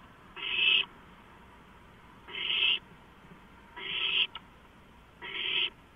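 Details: Owlets at a large rodent delivery, 23 March 2015, give four rasping, breathy hisses in steady succession, about one and a half seconds apart, each swelling slightly before cutting off.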